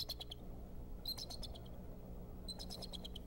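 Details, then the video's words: The male bald eagle at the Decorah nest, 26 February 2014, gives an alert, possibly over an intruder, with three bursts of high, thin, rapid chittering notes about a second apart over steady low wind. "Dad gives alert."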